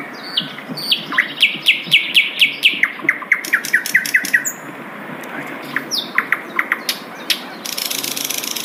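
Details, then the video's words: Wild Asian brown flycatcher song: a fast series of clear descending chirps repeated about twice a second, with higher thin notes mixed in and a burst of broadband noise at the end. "SUARA MERDU SIKATAN LONDO DI ALAM LIAR"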